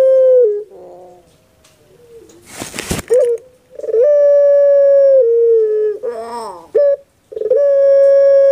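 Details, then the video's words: Kept puter pelung dove, a bird well known in Indonesia and especially Java, praised for a soft voice: long steady hooting tones with gurgling rolls between them, interrupted once by a brief loud burst of handling noise. "PUTER PELUNG SUARA EMPUK"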